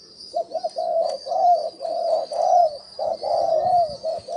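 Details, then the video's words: Decoy cooing of a spotted dove for luring wild birds: two quick short coos, then longer drawn-out hollow hoots, some bending downward, with a high buzzing background. "Tiếng chim cu gáy gù gọi hay cực chất dùng kích bổi gù kich mồi"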